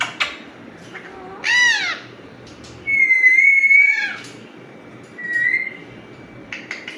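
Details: Alexandrine parakeet raw natural voice: a falling squawk, a long steady whistled note sliding into another squawk, a softer short whistle, and scattered clicks between calls.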